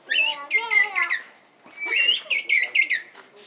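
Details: ['Moulting king penguin chick at Asahiyama Zoo, recorded 6 April 2012. It gives two bursts of shrill, warbling whistled notes, rapidly repeated and wavering in pitch, separated by a brief pause.']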